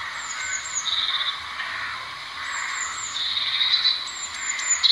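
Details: Blue tit, high thin whistles dropping into a buzzy trill, phrases repeated several times, with a steady hiss and some lower chirping underneath.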